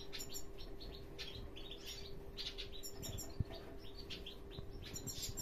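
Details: Male hooded siskin, a father bird, gives a busy run of short, high twittering chirps, several each second, over a steady low hum and background rumble.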